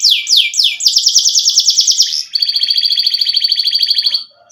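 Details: Canary in breeding condition and wanting to mate: three swooping descending notes lead into a rapid rolling trill, then a steadier, high, evenly pulsed trill that fades out.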